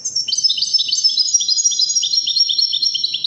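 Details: European goldfinch of the Moroccan 'wadiani' type singing: a continuous tinkling stream of high, quick, liquid notes and short twitters, repeated several times per second, with faint low background noise.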